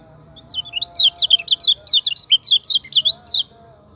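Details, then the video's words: Common iora song used as a training lure, a fast run of roughly twenty bright, chattering up-and-down whistles lasting about three seconds, each note crisp and high, over a quiet background with faint low hum. "PANCINGAN KECIAL KUNING GACOR"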